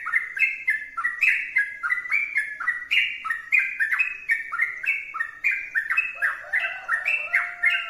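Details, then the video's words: Sooty-headed bulbul in full, vigorous song, giving about three bubbly whistled notes a second in jumpy up-and-down phrases. A faint steady hum enters near the end. "trucukan gacor berdurasi"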